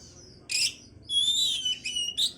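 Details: Oriental magpie-robin song to boost breeding condition: a harsh buzzy burst followed by long high whistled notes gently falling, then a final rasp.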